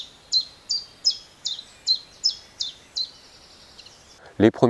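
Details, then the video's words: A common chiffchaff, recorded with a homemade parabolic microphone, sings a steady series of about eight high, clipped notes, roughly two per second, followed by a brief burst of handling or rustling noise. "Chant Pouillot véloce"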